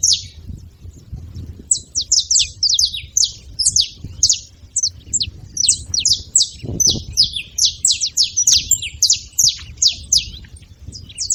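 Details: Lively saffron finch chatter: several birds give sharp, high, descending chirps in tight clusters, pausing briefly mid-way before resuming a rapid, dense run of notes, over a quiet low rumble.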